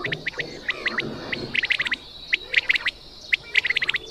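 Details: Punjab quail call used for hunting, clipped chirps in short groups, spaced unevenly, over a faint low background hiss.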